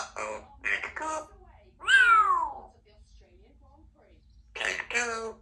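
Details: Two-year-old female Congo African grey parrot kept as a pet in a country home, chattering while her owner grabs lunch; short bursts of harmonic, speech-like syllables and one sliding whistle-like note, separated by quiet pauses indoors.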